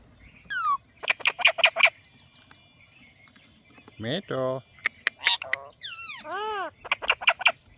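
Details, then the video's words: Indian parrot repeatedly calls the two-syllable name "Mithu" in a harsh, nasal, speech-like voice, mixed with sharp clicks, whistles and screechy downward-sliding squawks. "Parrot Calling Mithu Mithu"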